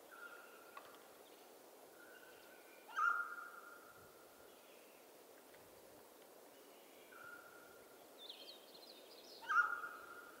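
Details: Mountain quail in western North America repeating its call several times over ten seconds, each a sharp onset trailing into a level, sustained tone, two notably louder; high, thin songbird notes sound intermittently between.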